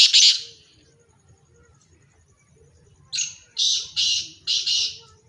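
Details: Black francolins calling as a pair (teetar): one harsh burst at the start, a pause of low background rumble, then four grating, rasping notes delivered in a quick run.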